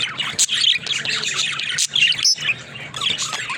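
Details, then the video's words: Several pet budgies, described as talking budgerigars, chatter in rapid bright chirps and squawks, with sharp clicks and short upward squeaks breaking through a steady warble. "Funny Talking Budgies"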